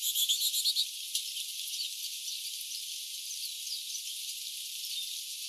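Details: Lesser goldfinch in rainy oak woodland at 1000 feet in the central Klamath Mountain foothills, January 2012, opens with a quick, high twittering run of about eight notes, then soft scattered chips under a steady hiss of rain.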